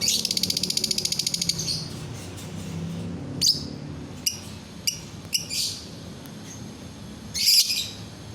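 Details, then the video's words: A lovebird calls to get other lovebirds singing. It starts with a fast pulsed buzzy trill lasting over a second, followed by scattered sharp ticks, a short harsh chirp and a final loud raspy squeal. "DENGAR SESAAT SAJA, bikin lovebird yang lain ikut bunyi"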